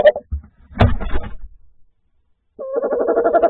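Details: Tawny owl (Strix aluco) giving a nightly territorial call to claim its nest, recorded 10 January 2024: a drawn-out, quavering hoot wavering rapidly on one mid-low pitch, after a second of muffled thumps and rustling.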